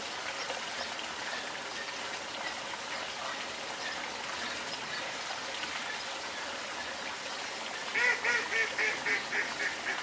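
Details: Black-tailed Gull giving a quick burst of nasal, mewing calls, about seven in two seconds near the end, over a steady hiss of colony noise or surf.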